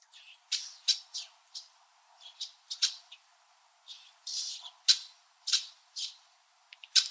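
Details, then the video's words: Red-winged blackbirds in winter, several perched high in backyard tree branches in Southern Ontario, Canada, chirping at each other: sharp, high, clipped chirps and short rasping notes at irregular intervals, roughly every half second to second, no other clear sounds. "Red-winged Blackbird Winter Calling and Chirping Sounds"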